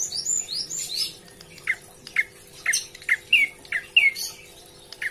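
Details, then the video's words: Prinia calling its companions, a chatty bird: a series of crisp chirps, some curling downward, repeated about every half second, with high twittering from other birds at the start and a faint steady hum behind. "Prenjak Coki Gacor Memanggil Teman"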